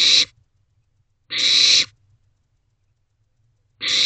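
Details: Barn owl owlets in a nest box at 9:12 pm, May 2023, huddled and waiting for food, giving loud broad hissing screeches of about half a second, three bursts spaced over a second apart, with quiet low rumble between.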